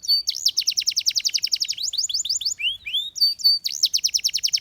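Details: Loud canary song of rapid, repeated sharp high notes, a few lower slurred whistles in the middle, then another fast trill of bright notes.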